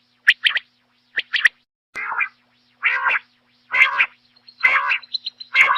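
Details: Quail singing, given the local name batair; clear, quiet background with sharp notes in quick pairs and triplets, then harsher, raspy bursts repeated roughly once a second.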